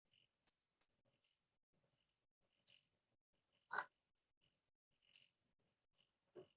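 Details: California Towhee calling with loud, sharp metallic chips: clean, very short high notes spaced irregularly one to two seconds apart, with one brief rustling burst and a soft lower note near the end; California Quail and California Thrasher share the recording.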